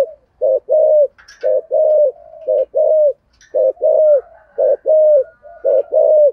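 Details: Spotted dove decoy in 'giọng thổ' style calling with 'thúc' and 'gù': a long run of paired hollow coos at a steady pace, with a few thin high chirps from another bird.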